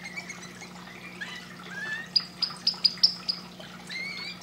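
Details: Canary singing: a few soft warbled notes, then a run of six sharp, evenly spaced high chips, with a faint steady low hum underneath.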